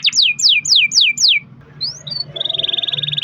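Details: Canary song for prompting other canaries to sing: five loud falling whistled sweeps, a short pause, then two rising notes and a fast, even high trill to the end.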